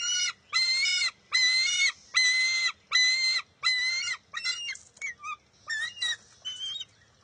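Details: Young bald eaglet at its nest on June 23, 2021, contesting a fish with its mother after she grabs it and it steals it back: six loud, harmonic, slightly wavering squeals about a second apart, then shorter broken chirps and whistles.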